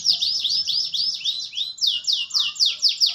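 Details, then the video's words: Kept canary with goldfinch-like song filled with long rolling passages, delivering fast high swooping notes in steady succession, later slowing into bright repeated downward slurs, clean recording without other sounds. "KENARI GACOR NGEROLL CENGKOK GOLDFINCH"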